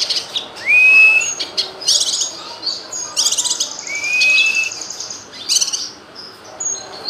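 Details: A bulbul sings two clear, rising whistled notes between bursts of bright, high chattering twitters, with a faint hiss in the background, used as tutor song to add variety to songbirds' repertoires.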